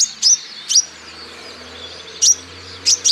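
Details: Olive-backed sunbird song, used as a lure to get other birds singing: a few sharp, high, steeply falling chirps spaced irregularly, some in quick pairs, over quiet background hiss.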